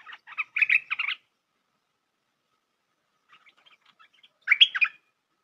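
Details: Bulbul lure call for trapping: a burst of quick chattering, whistled notes, a pause with faint ticks, then a louder slurred phrase.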